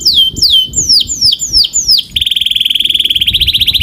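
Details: Singing canary giving slow, loud downward-swooping whistles about every quarter second, then switching to a rapid pulsing trill on one steady pitch; soft low rumbling in the background.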